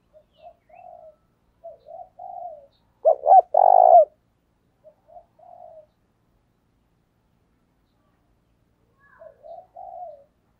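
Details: Spotted dove lure calling to provoke wild birds. Soft, scattered coos come before and after one loud three-part phrase: two sharp notes and a long throbbing coo.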